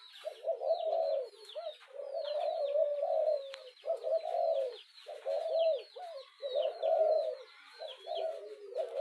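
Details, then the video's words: Repeated deep coos of a spotted dove, an urging call to stir a decoy quickly, coming in clustered bursts about every second, while many sharp high chirps from other birds fill the background. "Tieng chim cu gay thúc kèm kích bổi nhanh nổi"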